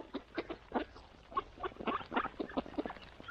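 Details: At a morning feeding, mallard ducks keep up a quick, steady patter of short, low quacking notes, roughly four or five each second, all overlapping from several birds.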